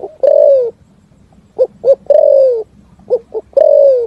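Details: Spotted dove song echoing in forest, long falling coos separated by pairs of short coos, with a faint low background hum.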